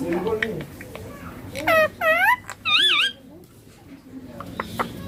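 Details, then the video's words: Pet baby Indian ringneck parakeet imitating speech such as papa and mummy; three loud harmonic phrases in quick succession, the last with a wavy rising-falling contour, followed by softer murmuring. "Baby ringneck parrot natural sounds papa mummy talking clear hindi"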